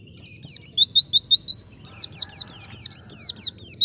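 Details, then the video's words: Wild white-eye song used as a lure to draw other white-eyes into singing: rapid series of high, slurred, down-sweeping whistled notes, about four per second, with a brief pause midway before the run resumes. "PLECI GACOR suara ngalas - PANCINGAN TERCEPAT MENGUNDANG BUNYI BURUNG PLECI SUPER AMPUH 💯% NYAUT"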